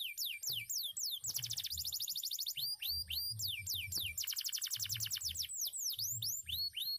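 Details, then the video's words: Canary, a former field bird, alternates rapid buzzy trills with loud downward-swept and swooping whistles, several per second, while low muffled thumps pulse in the background. "KENARI BIKIN MELONGO..SUARANYA MANTAP"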